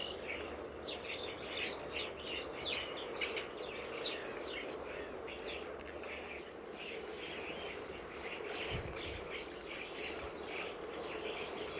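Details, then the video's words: Over 60 common starlings gathered in a garden, October 2012; continuous crowded chatter of sharp chirps, rattles and short whistled notes, rising and falling in waves, with a brief low thump near nine seconds. "Starlings in our Garden"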